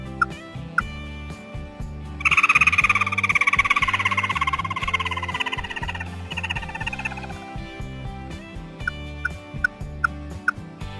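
A songbird gives a buzzy, fast-trilled phrase lasting about five seconds, dropping slightly in pitch, with a few sharp clicks, over steady rhythmic background music.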